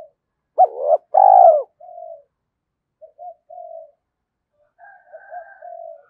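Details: Spotted dove cooing as a lure to make wild doves answer quickly, thổ sấm voice style: a loud short rising note then a long purring coo, followed by softer clipped notes and a fainter distant coo near the end.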